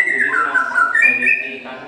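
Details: Competition white-rumped shama, a caged bird that took first place with a long, bowing performance, sings clear sustained whistles that slide down then jump higher, with faint music and voices beneath.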